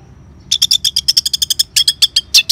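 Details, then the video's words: Orange-headed thrush song meant to stimulate caged birds: a rapid, even series of about fifteen short, bright, clipped notes, repeated in quick succession over two seconds, with faint low background hum. "Suara Ngeban Untuk Pancingan ANIS MERAH Jitu Membuat Burung Gacor"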